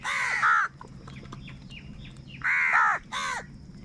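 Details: Crows fighting for food, angry and very loud: long harsh rasping caws, one early, then two more in close succession near the end, over a faint steady high tone.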